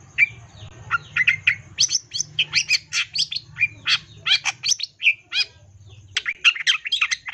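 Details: Long-tailed shrike in energetic, phrase-rich song, used to prompt other shrikes to sing: a fast, varied stream of chirps, buzzy slurs and whistled notes, briefly pausing near the end before resuming.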